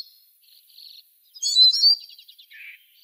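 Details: Eurasian siskin (Spinus spinus) song fragment: soft high twitters lead into a brief louder cluster of squeaky, slurred notes, trailing off into a low, buzzy, wheezing sound.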